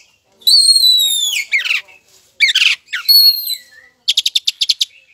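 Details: Oriental magpie-robin in full song, played as a lure so other magpie-robins answer: a long bright descending whistle, harsh rasping bursts, then a quick series of six clipped ticking notes.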